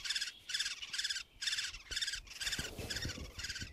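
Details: Woodpecker nestlings in a tree-hole nest, Blachownia, 23 May 2019, beg with harsh, buzzy, high chattering bursts, about two each second, over low thumps and rustling.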